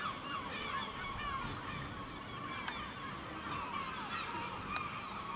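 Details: Gulls flying over a village in El Ortegal until nightfall, many overlapping calls: nasal, wavering cries and short yelps crowding one another, with steady background hiss throughout.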